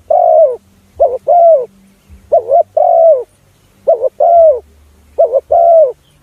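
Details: Spotted dove calling, the sound used to attract other doves: rhythmic mellow coos in pairs, a short trilled note leading into a longer falling coo, repeating five times with brief quiet spaces.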